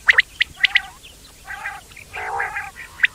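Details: Quail giving a few sparse sounds: short sharp high chips at the start and end, with two longer raspy, nasal notes in the middle, over a quiet background.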